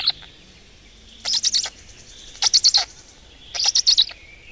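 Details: A black stork family at the nest in Estonia, on the morning of 20 May 2018. Three short clusters of rapid scratchy pulses come about every 1.2 seconds, between soft whistles from other birds.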